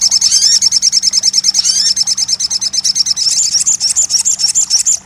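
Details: Crested jay sound played as therapy to get a silent bird singing: a dense, rapid high trill of sharp metallic notes runs throughout, with a few downward-sweeping whistled notes early on and a faint low steady hum underneath.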